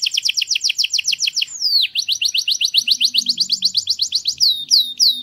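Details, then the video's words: Error-free canary song for training chicks: rapid repeated double-note trills, a sliding downward whistle, then a long fast rolling trill ending in slower sweeping notes, with a faint low hum beneath. "غناء كناري خالي من الاخطاء لتعليم الفراخ Error-free canary singing to teach chicks"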